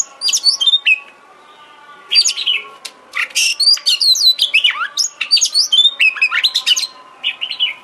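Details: Kacer trigger song for provoking singing and tail-spreading: lively high chirps, rapid trills and falling whistles in clustered phrases, with a quiet pause near the start and a low humming tone behind.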